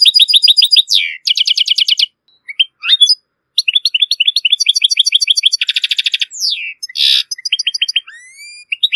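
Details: Goldfinch song, strong and error-free, played so young goldfinches and hybrids learn it; bright tinkling trills, rapid repeated notes, a harsh buzzy burst and sliding whistles, broken by short silences.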